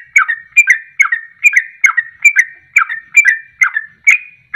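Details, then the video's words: Ropelan song of a sooty-headed bulbul, played as a lure to provoke other birds into singing: quick, liquid, warbled whistles in short paired notes, delivered in a fast unbroken run of about ten phrases. "Ropelan Trucuk Ini Ampuh Untuk Pancingan Langsung Pada Ikut Ropel"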